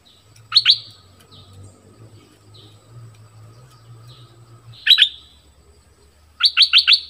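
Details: Orange-headed thrush singing in the southern style, used for luring wild birds and training young ones: brief double whistles spaced several seconds apart, ending in a quick run of four notes, over a low droning hum.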